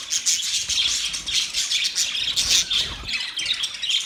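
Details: Budgerigars chirping during mating, a loud, unbroken stream of high twitters and sharp whistled notes from several birds, rapid and overlapping throughout.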